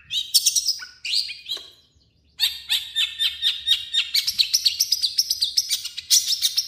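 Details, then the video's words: Long-tailed shrike singing a varied song mixing its own notes with imitations of other birds: clusters of high sharp chirps, then a fast run of rhythmic rising-falling notes repeated several times a second. "MASTERAN BURUNG CENDET"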